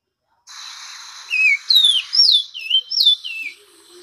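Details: Orange-crowned oriole song: a short phrase of loud, clear whistled notes that slur downward and warble, about six notes in two seconds, over a steady high hiss.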